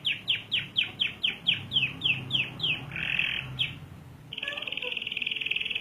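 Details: Active canary singing with a long roll: a rapid series of sharp, downward-slurred whistled notes, roughly three per second, then a brief jumbled warble and a steady, fast rolling trill to the end.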